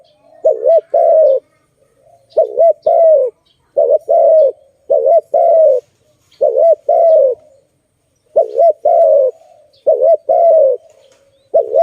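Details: A zebra dove (Malay dove) at a trapping site, where caught doves are released, gives repeated soft, purring coos: a couple of quick clipped notes then a longer rolling coo, about every second and a half.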